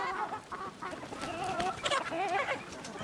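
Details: Chicken among village sounds, giving a busy run of short clucks and wavering mid-pitched notes, several overlapping in quick succession, with a soft rustling background.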